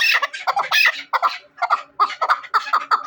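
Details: Hunting chukar partridge: harsh clucking chuck notes, first irregular, then settling into a steady run of about two per second.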